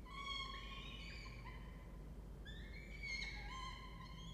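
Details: Peregrine falcons with two young about four weeks old, in a nest box in a water tower at Charles Sturt University, Orange, Australia. Two bouts of stacked, whining calls with bending pitch are separated by a quieter gap, over a low hum.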